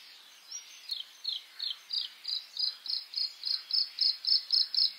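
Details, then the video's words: White-spotted bluethroat (Luscinia svecica cyanecula) singing in May: a few slurred notes, then a steady, speeding series of loud, ringing, metallic notes, almost four per second. "A Bluethroat (Luscinia svecica cyanecula) song in May"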